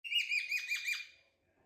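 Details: Two pet cockatiels interacting playfully indoors; a brief burst of harsh, slightly buzzy chirps, about five quick notes in one second, then silence.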